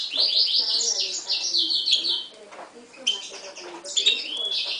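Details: Himalayan goldfinch and timbrado canary hybrid, a 2011 mule, delivering a fast rippling trill of repeated high notes, then a pause and sharper whistled phrases, over faint low chatter.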